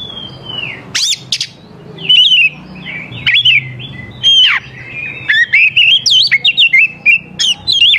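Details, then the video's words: Oriental magpie-robin singing, used as a lure to get young wild birds to answer: loud, varied whistled phrases with sharp upward and downward sweeps, some very high, delivered in quick successive bursts. "KACER GACOR SANGAT AMPUH UNTUK MEMANCING KACER MUDA HUTAN BIAR IKUT NYAUT DAN LANGSUNG GACOR"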